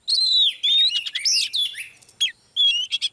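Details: Oriental magpie-robin, a female used to draw a male into excited full song: loud, clear whistled phrases with sliding high notes and quick buzzy trills, broken by short pauses.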